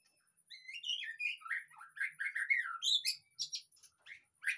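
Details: Lure recording of white-rumped shama song meant to make a sulking bird sing openly: a rapid run of rich whistled notes, downslurred and rising, flowing into sharp high chips and a final loud note.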